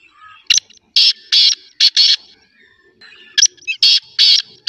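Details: Black francolin giving its call as a rasping series of loud, buzzy notes in quick bursts, two phrases of three or four notes with a brief quiet gap between them and faint background twittering.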